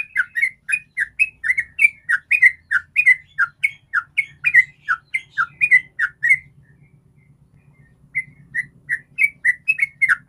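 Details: Sooty-headed bulbul in rapid ropel-style song, used as a lure to get other bulbuls singing: a fast run of short chirpy notes repeated several times a second, pausing briefly near the end before resuming, over a faint low hum.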